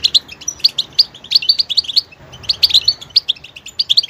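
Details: Goldfinch song of sharp, repeated chirping notes in quick clusters, a short gap near the middle, then more bright twittering.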